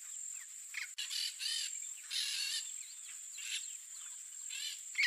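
Yellow-faced Parrots give harsh, grating screeches in short bursts about once a second. A steady high insect whine runs underneath.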